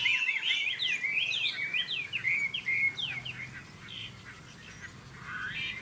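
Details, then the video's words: Chinese hwamei in competitive song, caged between two rival birds: a rich, rapid run of loud whistled and slurred phrases, rising and falling, over a low background hum. "Họa mi hót đấu"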